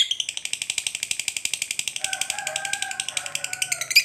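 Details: A gacor lovebird's long 'ngekek' song, used to draw replies from quiet lovebirds: a continuous rapid rattle of high, dry pulses with a steady even beat, and softer tonal lines in the background during the second half.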